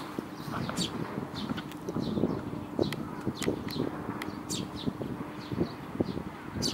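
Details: Fledgling Eurasian tree sparrow up in a tree at Ohori Park, Japan, on 7 May 2015, giving short, sharp, high chirps at irregular intervals, some in quick pairs, over a steady low rumble of traffic.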